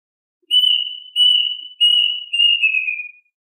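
A Plaintive Cuckoo gives four clear, high whistles, each about half a second long, sliding gradually lower through the series. The background is quiet.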